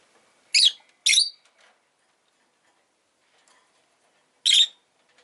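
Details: Rosy-faced lovebird, Agapornis roseicollis, uttering two quick raspy high chirps, a pause of about three seconds, then one more harsh chirp.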